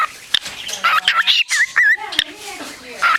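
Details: A female shelter parakeet, recorded 29 March 2010, "beatboxes": quick whistled chirps that swoop up and down, mixed with sharp clicks in a rhythmic pattern, with people talking nearby.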